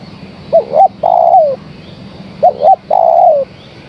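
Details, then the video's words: Female spotted dove calling the male: two phrases, each of two short rising coos and a long falling coo, about two seconds apart, over a faint low hum. "Suara Tekukur Betina Gacor Memanggil Sang Jantan"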